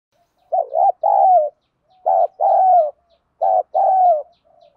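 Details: Spotted dove in rapid 'thúc gù' and 'gáy gọi' calling, a 'giọng đồng' voice used to excite decoy birds in training. Three mellow phrases, each a quick doubled note then a drawn-out coo, with faint hums between.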